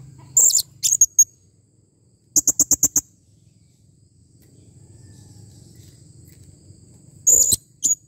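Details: Serindit, the blue-crowned hanging parrot, calling clearly: scattered shrill, very high-pitched squeaks, then a rapid string of five short piercing notes and later two more shrill bursts, with a soft low hum between them.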